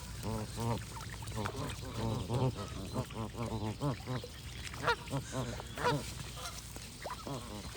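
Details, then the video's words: A flock of geese honks rapidly: dense runs of nasal, harmonic calls follow one another closely. A few sharper, higher notes stand out near the middle, over a steady low rumble. "Goose & Birds Sound Effects for Relaxation"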